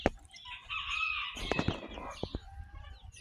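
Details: Barnyard chickens with chicks hatched May 21, 2024, on June 22, 2024: a drawn-out harmonic squawking call with high chick chirps, then a few sharp knocks and thumps.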